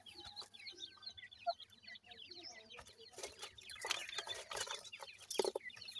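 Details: Grey francolin chicks giving a dense chorus of high, thin cheeping notes, many overlapping down-slurred peeps, with scattered clicks and rustling bursts in the second half.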